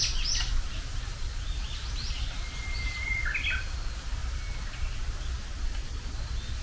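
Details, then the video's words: Spring's first Japanese bush warbler song: after some sharp high chirps, a long flat whistle leads into a quick tumbling ending, and a few softer chirps follow over low steady background noise. "春告げ鳥 ウグイスの鳴き声"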